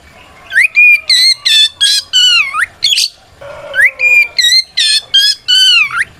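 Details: Singing white-rumped shama meant to call out rivals and make silent or young shamas answer; strong whistled notes repeated in quick bursts, rising and curling phrases, with a brief buzzy, harsher note midway.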